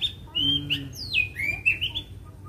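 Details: White-rumped shama, agitated and fighting, provoked to sing: clear sustained whistles, one sweeping down sharply then levelling, with short flicking notes between.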